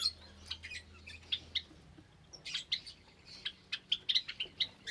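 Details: On a Sunday morning, 8 May 2022, Java sparrows in a cage with recently hatched chicks give high, short chirps, sparse at first, then repeated every fraction of a second toward the end.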